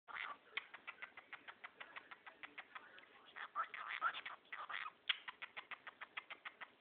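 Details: A male cockatiel, chattering to grey and white socks, gives a rapid, pulsing imitation of human laughter, a stuttering run of raspy chuckles.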